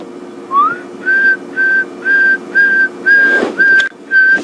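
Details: On a morning safari drive in the greater Limpopo transfrontier area on 21 August, near spring, a Pearl-spotted Owlet gives a rising whistle, then a steady run of clear whistled notes about twice a second, over a vehicle engine hum.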